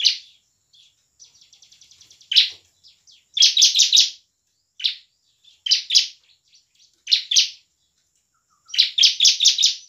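Bar-winged Prinia singing loud, high buzzy chattering bursts in rapid clusters of three to five notes, with a softer ticking rattle between phrases.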